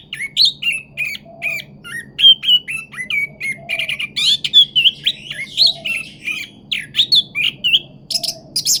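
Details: Rolling pancingan lure song of an orange-headed thrush: rapid, continuous strings of clear whistles bending up and down, with brief high sharp notes near the end. A faint low droning hum runs underneath.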